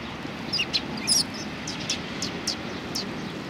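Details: Several sparrows recorded at a Tenmangu shrine, 31 March 2020, giving quick bright high-pitched chirps, some clustered early and fainter ones trailing off, over constant low rumbling background noise.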